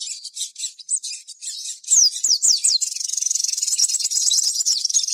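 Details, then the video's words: Crimson sunbird, kept as a lively songbird and played as a lure to set other birds singing: high, thin chattering notes, then rapid falling slurred whistles and a fast sustained buzzy trill. "suara sogon gacor"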